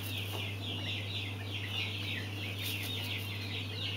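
Mountain quail chicks keep up a constant overlapping chorus of thin, high peeps and chirps, over a steady low electrical hum.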